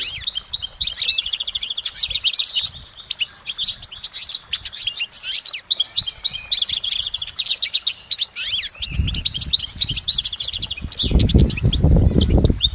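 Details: High, tinkling twitter from a goldfinch recorded outdoors, rapid notes and short trills in rambling phrases, continuing almost without interruption; heavy low rumbling noise joins in the last few seconds.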